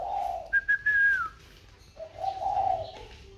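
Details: Spotted dove still calling normally after being sold and boxed: a low coo, two short whistled pips leading into a longer falling whistle, then another low drawn coo.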